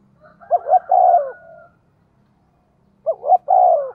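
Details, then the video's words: A spotted dove kept as a decoy to lure wild birds coos briskly: two phrases of double rising notes ending in a long, slurred falling coo, with a faint higher tone over the first. "Chim Cu Mồi thúc tốc độ có kèm nghe cực hay, bổi nghe phát gáy luân"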